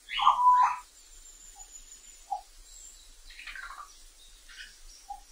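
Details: African grey parrot in the wild: a loud, harmonic whistled squawk near the start, with a steady tone at its centre, followed by a few short faint chirps and a quiet hiss.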